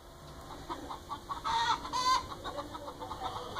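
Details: A flock of domestic hens cackles and clucks in a steady run of short, repeated notes, with a couple of louder, brighter squawks in the middle; a person's voice is heard just before and after.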